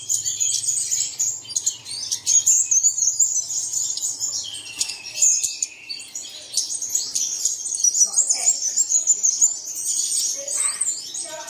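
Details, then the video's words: Early-morning lure to get caged birds singing. Long, steady stream of high chattering, trills and slurred whistles from multiple birds, with a faint low hum in the first seconds. "Bật Tiếng Chim Này Lên Vào Sáng Sớm Chim Của Bạn Sẽ Hót Ngay"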